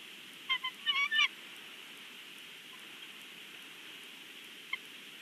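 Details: Adult male bald eagle at a Big Bear nest on a live nest cam gives a short cluster of high, chittering piping notes early on, then stays silent except for one faint note near the end, under constant hiss.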